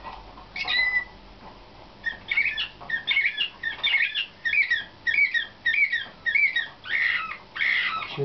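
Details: Competition-selected nightingale-style canary in training sings a steady run of short whistled syllables repeated roughly twice per second, each with a bright upswept note, after an opening call and pause.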